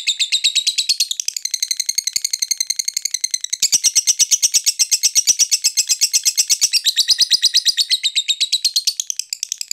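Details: Lovebird fighter call used to provoke a rival into calling: loud, continuous rapid chattering, harsh, buzzy notes repeated nearly three times a second for ten seconds, in a small room.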